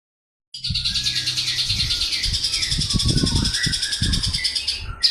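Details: Javan bush lark, described as an excellent, lively singer: a continuous high buzzy trill of rapid repeated notes, with low thumping knocks underneath.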